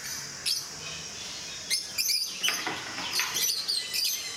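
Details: Rosy-faced (peach-faced) lovebirds, a group kept at Mysore Zoo, giving sharp, high chirps in scattered bursts, with several birds calling over one another against a quiet background hiss.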